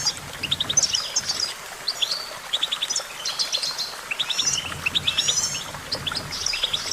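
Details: Chattering goldfinch song with repeated short note bursts, rising slurs and tinkling high trills, lasting about seven seconds with light background noise.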